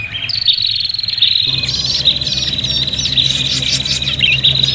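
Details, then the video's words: Prinia calls, agitated and fighting, meant to lure birds: a long unbroken high buzzy trill with wavering chirps stacked above it and a low hum joining partway through. "suara prenjak pikat ribut tarung"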